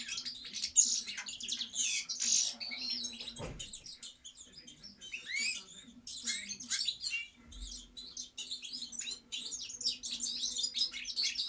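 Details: European goldfinch song: rapid tinkling, twittering run of high bright chirps and trills with buzzy notes, delivered in continuous bursts with short pauses, a low steady hum underneath.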